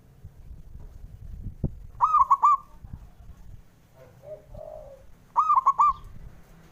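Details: Male zebra dove calling to stimulate reluctant birds to sing: two ringing phrases of quick staccato coos about 3.4 seconds apart, soft low coos between, plus faint knocking sounds.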